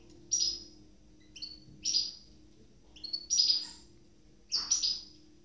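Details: Two captive goldfinch hybrids (mules) just out of their moult; crisp high chirps and short twittered bursts, some doubled, arriving irregularly about once per second, with a low steady hum behind.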